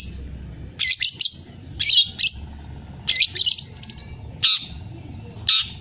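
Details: A young long-tailed shrike learning to sing gives short bursts of scratchy, chattering notes mixed with thin whistles, about one burst a second, over a faint low hum.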